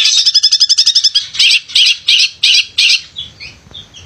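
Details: Male long-tailed shrike, sung to stir lazy shrikes: a quick rattling trill followed by five loud raspy notes, fading into soft faint chirps.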